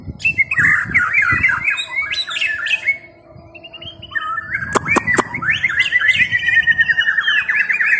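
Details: White-rumped shama singing bursts of quick, chattering whistled phrases, a short lull near the middle, then a few sharp clicks before the rapid notes resume.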